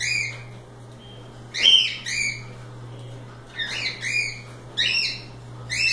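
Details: Cockatiels let loose to play, calling in bursts of stacked harmonic squawks and chirps separated by brief quiet gaps, with a constant low hum beneath.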